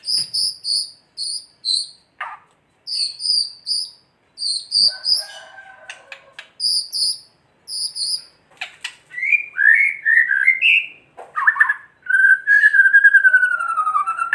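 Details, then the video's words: White-rumped shama kretekan song meant to stir other shamas to sing: a run of high, paired, metallic chips repeated rapidly, then short slurred whistles and a long wavering, descending whistled phrase at the end. "Kretekan murai batu gacor AMPUH memancing murai batu agar EMOSI"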